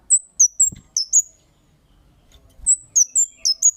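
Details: Kemade calls for luring other birds: two brisk bursts of shrill, high chirps, five notes each, separated by a quiet gap with faint low rumbling.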